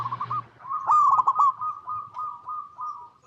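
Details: Local zebra dove from Indonesia, used to coax other doves to sing: one loud quick stuttering coo burst followed by a long soft rolling purr.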